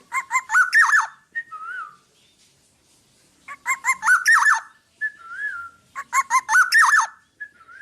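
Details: Black-naped oriole singing actively, recorded for training other birds: three bursts of fluty, slurred whistles with sharp clicks, each burst about a second long, followed by softer drawn-out whistles, roughly every three seconds.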